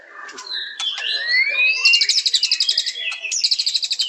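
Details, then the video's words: White-rumped shama beginning with scattered whistles and a long rising slur, then breaking into rapid, high, rhythmic trilled bursts. "Beautiful Birds Chirping Murai Batu"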